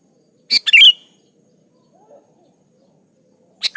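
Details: Sooty-headed bulbul, locally kutilang, in a recording used to coax kept birds into song: a quick bubbly phrase with a slurred whistled ending, then silence and a brief note starting near the end; constant thin high hiss.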